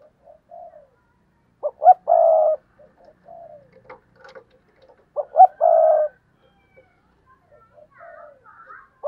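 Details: Spotted dove used as a lure bird, giving its cooing call: two short rising notes followed by a longer, fuller coo, repeated about every four seconds, with softer low coos and faint chirps between phrases.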